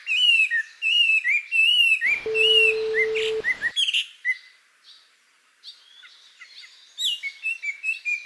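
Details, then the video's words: Japanese white-eye in summer, recorded in mid-July from close range: a quick, high twittering phrase, then a short steady beep, then quieter scattered chirps before the lively warbling resumes near the end. "メジロの鳴き声 夏のさえずり"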